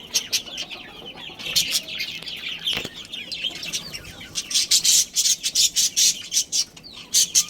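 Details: Chirping from a budgerigar colony that holds a breeding pair: softer warbled twitters first, then a long run of loud, sharp, evenly spaced high chirps.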